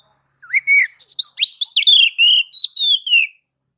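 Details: Kacer (oriental magpie-robin) singing ngeplong style as a master to coax other birds into singing: a rising opening note, then quick varied whistled phrases, some sliding down, in a run of about three seconds. No other sounds.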